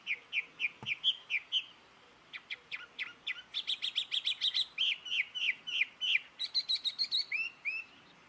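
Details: Jungle babbler giving a long series of harsh, chattering high notes, roughly three or four per second, some rising and some falling, over a steady hiss of background noise.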